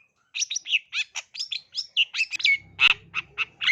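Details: Long-tailed shrike in vigorous song, played to set young shrikes singing: rapid, varied squeaky and whistled notes about a second apart, some sharp and bright. A low hum runs underneath in the second half.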